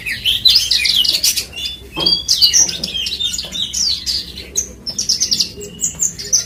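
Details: Horsfield's bush lark, subspecies parva, from West Nusa Tenggara, Indonesia. It delivers a busy, high-pitched song of scratchy chirps, sharp clicks and short whistled slurs, tumbling on almost without pause for over six seconds.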